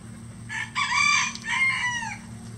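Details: One of at least 20 farm roosters, a mix of standard and bantam chicken breeds, crowing. A single crow in two strong bursts with a brief break between them, ending in a falling tail, over a low background hum.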